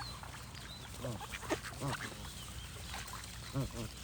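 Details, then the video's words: Scattered goose honks, nasal and rising slightly, come in small groups amid faint whistles from other birds and a steady low background drone. "Goose & Birds Sound Effects for Relaxation"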